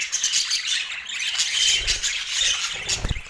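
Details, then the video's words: Colorful pet budgies enjoying apple, chirping and warbling continuously with high squeaky notes and a few drawn-out whistles, while soft low bumps of movement sound toward the end. "Relaxing Budgie Sounds"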